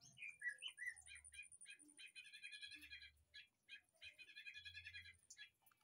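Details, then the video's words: A White-rumped shama in a backyard aviary sings a few rich, slurred whistles, then rapid bursts of dry, chattering phrases in quick runs, over a steady high insect-like hiss and occasional low thumps; used as a tutor recording. "MASTERAN//murai batu"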